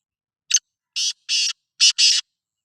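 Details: Sindhi black francolin calling: a brief harsh opening note, then two rasping buzzy notes and a quick final pair, five grating notes in about two seconds with nothing else heard.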